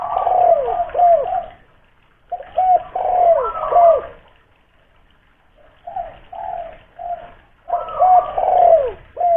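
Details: Local wild spotted dove with a big voice from Kuningan, West Java, used as a lure to prompt captive doves to call: bursts of hoarse, mellow coos with sliding notes, separated by pauses of one to two seconds.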